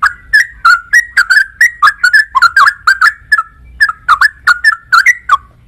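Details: A sooty-headed bulbul (trucuk) sings a steady, lively stream of short rolling whistles, each note bending up or down, running almost without pause across the whole stretch, over a quiet low background hum.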